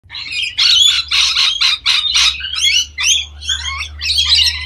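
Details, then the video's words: Rainbow Lorikeets in Australia during a courtship "love dance" give a rapid run of harsh, screechy squawks, about five bursts a second at first, then rougher chattering notes, over a faint low hum. "Rainbow Lorikeets in Love!"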